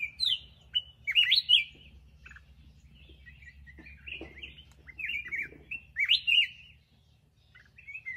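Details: Song of a black-crested bulbul: several separate bursts of quick, bubbly slurred whistles with silent gaps between them, ending in a final short phrase against a quiet background.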